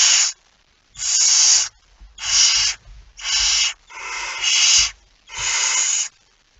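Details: 17 September 2019, 01:49, a barn owl with a mouse: six loud snoring hisses at fairly regular intervals, one doubled, with faint thumps beneath.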